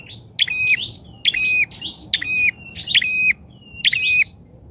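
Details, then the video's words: Bar-winged prinia lure call used for trapping wild prinias, described as loud and lively: a sharp high note dropping into a short buzzy tail, repeated about every second, with a softer trailing chirp between calls. "PIKAT PRENJAK!!..PRENJAK LIAR KALAH PAMOR DGN PIKATANYA...GACOR"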